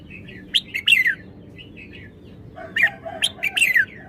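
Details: Red-whiskered bulbul chirping in two clusters of sharp, downward-sweeping whistled notes separated by soft quiet twitters, with a mellow lower note under the second cluster and low background hum.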